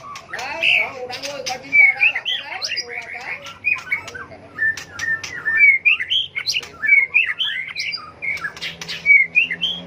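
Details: Tail-flicking white-rumped shama in full competitive fighting song for training singing birds; dense, continuous medley of varied whistles, rising slurs and crisp chips with barely a pause.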